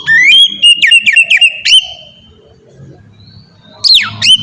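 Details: White-rumped shama singing ngeplong style for captive training: quick repeated whistled notes with rising-falling slurs, a held whistle, quiet rumbling gap, then a steep falling sweep.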